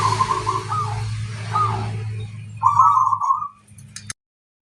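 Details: Local zebra dove singing to lure other doves: soft rolling coos under a loud steady low hum and hiss, then one clearer trilled phrase before silence.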